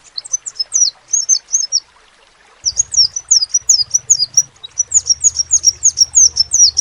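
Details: Crimson sunbird, known locally as sepah raja, singing in a lively manner: high, thin, rapid squeaky notes in quick bursts, a short phrase then a pause, then a longer run of repeated sharp chirps, with faint low hum beneath.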